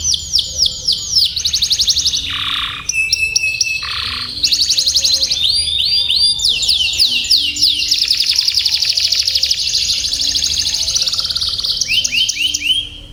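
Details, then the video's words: Long canary song played to train young canaries in long rolls: many rapid trills, two dips into low sustained notes, then a long buzzy roll that runs on for several seconds before fading. "Suara BURUNG Kenari ||° Bird Chirping Sound ||° Masteran dan PANCINGAN kenari"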